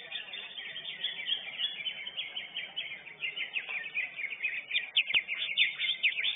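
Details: A Lesser green leafbird, first-place winner at a songbird contest, pours out a dense, rapid string of high chirps, whistles and trills, with faint background chatter.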